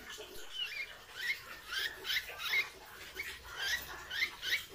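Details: Captive wild-caught hair-crested drongo in training, a loud singer that fluffs its neck feathers while singing: a fairly faint series of short rising whistled notes mixed with harsh buzzy bursts, roughly every second.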